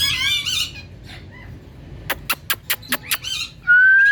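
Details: Talking ringneck parrot kept as a pet and watched by another parrot: a raspy chattered phrase, a quick run of six sharp clicks, then a clear rising whistle.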